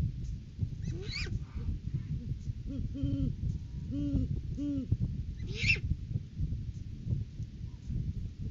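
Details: Courting pair of great horned owls at the nest tree, January 9, 2023, recorded by a live camera: a run of about five deep hoots in a steady rhythm, with brief higher squealing notes before and after, over rumbling background noise.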